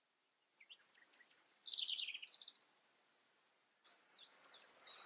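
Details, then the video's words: European robin singing in the Eifel, Germany: a phrase of high, thin, tumbling notes trickling downward, a pause, then a few sharp, sweet notes. "Robin sings"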